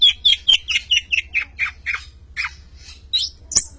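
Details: A champion long-tailed shrike sings eagerly, delivering a quick run of short, bright chirping notes about four per second, shifting between higher and lower pitches, with a few shrill squeaks at the end.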